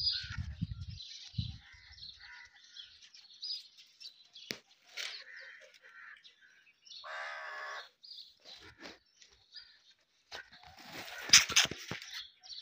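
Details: Indian ringneck parakeet chattering and chirping in irregular high bursts, with a harsher buzzy note midway, scattered clicks and knocks, and low thumps early on.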